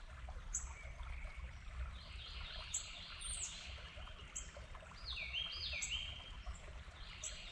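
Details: Territorial red-bellied woodpecker giving downslurred calls in quick pairs over a steady low rushing background, with thin high chips from another bird.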